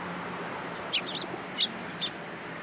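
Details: Sparrows coming onto a hand to be fed at a Tenmangu shrine, 13 April 2023: three or four short, high chirps spaced about half a second apart over a low, steady background hum.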